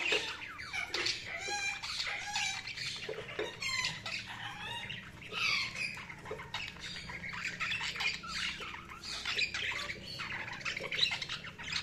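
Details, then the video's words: Several budgerigars chattering continuously: dense, rapid warbling with squeaky whistles, buzzy rattles and harsh squawks overlapping for the whole stretch. "Budgies Sounds| Budgies Chirping sound"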